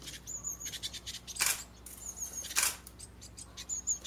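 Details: Japanese tit chicks fledging from a garden nest box, residential area near a mountain village, parents caring for six young. Very high, thin drawn-out notes repeated through the clip, interrupted by two loud broadband rustling or clattering bursts.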